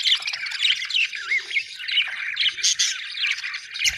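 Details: Budgies chirping happily, a busy overlapping warble of wavering whistles and scratchy squawks, with one clear rising-falling whistle near the middle.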